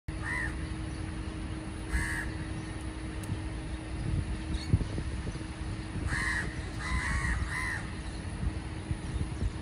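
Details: Indian house crows (Corvus splendens) call noisily from MRT viaduct noise barriers, perhaps chatting with one another: about five harsh, nasal caws, singly then in a quick run of three, over traffic rumble and a low mechanical hum.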